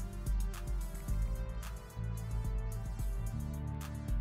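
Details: Steady instrumental music with deep sustained bass tones and light percussive beats, with no animal sounds.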